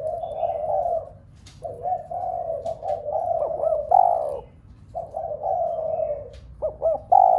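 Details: Spotted dove, a Vietnamese cu gáy, cooing to stir other doves into cooing: low hollow coos around one note, long phrases with short breaks and brief rising inflections at phrase ends, clear and dominant.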